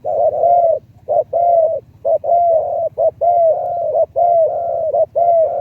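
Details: Decoy spotted dove in a medium-to-deep voice, cooing steadily: loud hollow double coos with a longer falling note, repeated roughly once a second, a low hum underneath.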